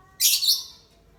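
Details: Lovebird out for sunning on a gloomy day, ngekek panjang; a single piercing, scratchy high burst that fades out over about half a second.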